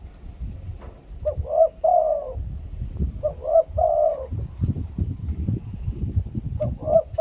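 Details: Spotted dove singing the two-kuk 'khu-ang' decoy song: two full mellow phrases of short rising notes plus a long hollow coo, about two seconds apart, then the start of a third, over low-pitched background rumble.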